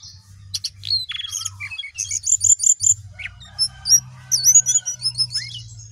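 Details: Vigorous song of a sooty-headed bulbul: crisp high chirps, a short run of evenly repeated notes, then looping whistled upslurs and twitters, all clear above a faint low drone.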